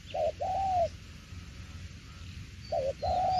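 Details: Spotted dove cooing, đồng tiểu liên style: a short hoot and a long smooth coo, then a silent pause of nearly two seconds before the same two-note phrase returns.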